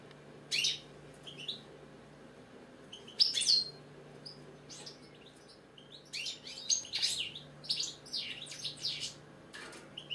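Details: British goldfinch, a caged bird, singing bursts of rapid twittering and buzzy notes mixed with short whistles, growing denser toward the end over a faint steady hum.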